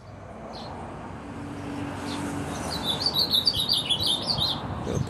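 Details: An ultramarine grosbeak singing frenziedly, a fast chattering series of high, clipped notes starting midway and running to the end, with a low hum and steady background noise.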